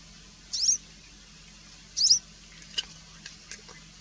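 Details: Two quick high-pitched chip notes from a Variable wheatear (Oenanthe picata), 1.5 seconds apart, followed by faint soft clicks against a quiet low hum.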